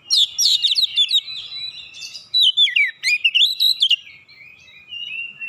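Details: Oriental magpie-robin song used to provoke rivals into singing, with a rapid cascade of bright whistles and chattering notes, then a second burst of rising slurs, ending in a thin fading whistle.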